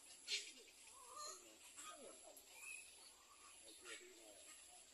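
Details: At a little egret nest where an adult returns to tend four chicks, soft squeaky notes slide up and down, mixed with a few sharp clicks against a faint high hiss.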